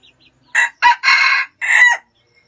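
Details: Red junglefowl crowing in Vietnam: a single loud four-part crow lasting about one and a half seconds, with a short opening note, a brief second note, a long sustained middle and a falling final note, over a quiet background.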